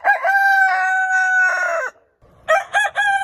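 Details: Morning rooster crow: one long, loud, clear harmonic crow held steady for almost two seconds with a falling end. After a pause comes the stuttered start of another crow.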